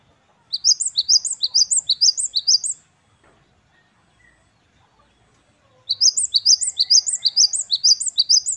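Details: Two long runs of a great tit's 'wucit-wucit kristal' song, the gelatik batu wingko style: rapid, bright, high-pitched two-note whistles repeated about twice a second, separated by a few seconds of near silence.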